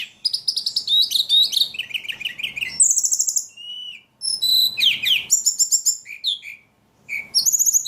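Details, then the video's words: Ledekan bird in full, energetic song: dense high chattering phrases, clear whistled notes and rapid stuttering trills, with a brief silence before a final burst of sharp chirps. "Burung ledekan paling gacor"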